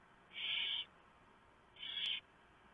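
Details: Barn owl nest at 3:59 AM on 3 November 2015, male delivering a huge mouse, female shredding it for the owlets; two harsh, hissing screeches, each about half a second long, over a steady low hiss.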